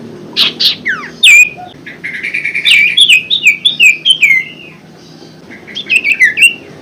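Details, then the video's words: Golden-bellied gerygone, played as a lure to stimulate caged birds that are silent or lazy to sing. A lively run of high, sweet whistles, each note sliding downward, repeats rapidly for several seconds, pauses briefly, then resumes. "pancingan sirtu macet bunyi & malas bunyi"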